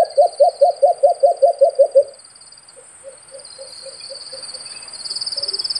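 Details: White-eared brown dove: a burst of ten loud, low hoots in quick succession, then a pause and a fainter series of softer hoots. High insect trilling continues throughout.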